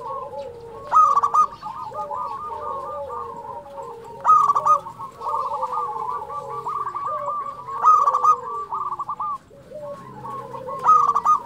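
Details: Local zebra dove singing steadily, recorded as a master song to stimulate silent or stressed doves and arouse them: bubbling, rolling coos in a higher and lower line, each phrase opening with a loud crackling burst, repeating roughly every three and a half seconds.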